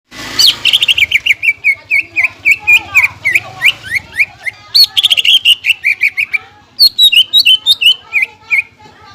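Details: Greater green leafbird song, used as a lure to excite other leafbirds and as a tutor for young birds. Loud, rapid series of sharp chirps near one pitch, with rising whistled notes and a faint low hum at the start.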